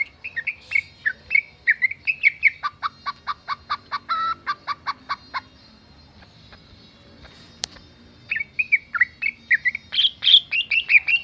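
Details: Greater green leafbird song mimicking chicken and cat, beginning with rapid slurred whistles, then a long run of evenly spaced clucking notes about four per second, a pause, then more loud slurred whistled phrases.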